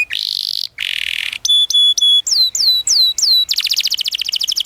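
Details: Canary singing a long tutor song for young birds: buzzy notes, flat pure whistles, then downward-curving whistles and a fast rolling trill at the end.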